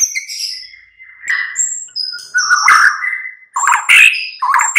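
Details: White-rumped shama (murai batu) mid-morning lure song: clear whistled notes, long level whistles near the start, then louder rich warbled phrases broken by short pauses.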